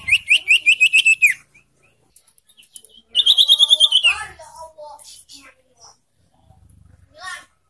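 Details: Song of a young caged sirtu, used to trigger singing in other caged birds: two rapid, evenly pulsed whistled trills, the second sliding downward into lower notes, followed by scattered soft chirps and a final rising note.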